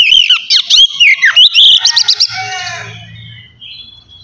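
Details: Oriental magpie-robin in relaxed ngeplong song, used to coax untrained birds into singing: a fast run of clear, high, looping whistles and quick trills for about two seconds, then a fading echoing tail with a faint low hum.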